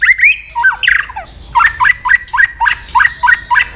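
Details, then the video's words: {'caption': 'Aggression-provoking vocalising from a white-rumped shama: a few harsh, squawky notes, then a steady series of about eight clipped, chattering notes repeated several times a second.'} "AWAS MURAI BATU MU IKUT EMOSI"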